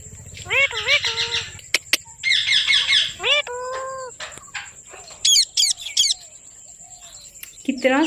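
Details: Parrot talking: a run of clipped, speech-like syllables with wavering harmonic tones, then sharp high chirps and a rising squeak near the end, with short pauses between phrases.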